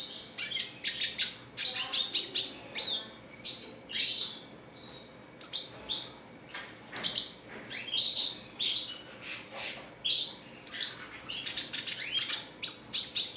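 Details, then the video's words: Red siskin singing in repeated short bursts, each a cluster of high sharp twitters and buzzy notes, separated by brief gaps over some thirteen seconds. "RED SISKIN CLASICC MEWAH GACOR 24 JAM"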